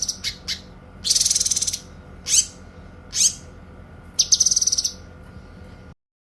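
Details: Training recording of songbirds, cililin against cucak kinoy, singing clearly: high thin chirps, a rapid pulsed trill, two downward-sweeping whistles, then another fast high trill before it cuts off.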